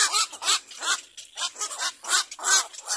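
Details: Rapid series of rasping, squawky calls from a little black cormorant getting ready to feed its chick, about two and a half notes per second, each short and slightly arched in pitch.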